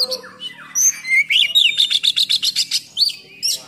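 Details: Oriental magpie-robin singing to provoke and train other magpie-robins, 'full nembak' style with harsh fill: a rising whistle, then a fast train of sharp, bright chips repeated about four times a second, ending in shrill slurred notes.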